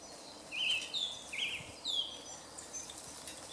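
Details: Wild song thrush recorded 2 March 2016 in a small wood beside Jarun in Zagreb, Croatia, giving a few clear, level whistled phrases, each slightly trilled, separated by short pauses against quiet background hiss.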